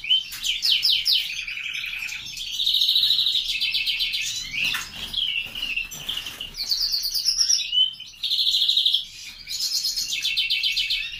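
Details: Captive-bred grey-wing mutation greenfinch singing indoors: a varied run of bright trills and buzzy rattles, with sweet twittered phrases and short rising whistles, broken by brief pauses between bursts.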